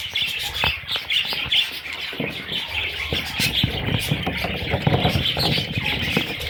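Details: Parrot babies keep up a busy high, scratchy chatter of squeaks and chirps, joined by clicks and low rustling sounds.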